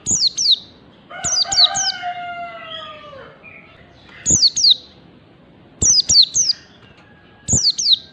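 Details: White-eye learning the quick 'ngalas' song, with bursts of bright, high, downslurred chirps; early on a lower, drawn-out falling whistle with rich overtones sounds beneath the chirping.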